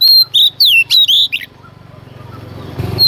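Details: Early-morning female Oriental magpie-robin, singing to provoke males. A fast string of loud whistles, some sliding down, lasts just over a second. Then only a low rumbling hum remains, rising in loudness toward the end.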